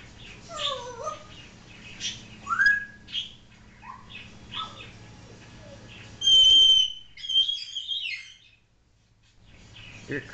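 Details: Pet African grey parrot at home producing scattered short whistled notes and chirps of varied pitch, then a loud high sustained whistle with wavering tones, followed by quiet.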